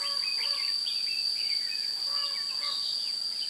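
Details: Red-whiskered bulbul song recorded while trapping with a decoy bird on 16 June 2017: short whistled and warbled phrases, some rising or falling, over a steady high insect drone.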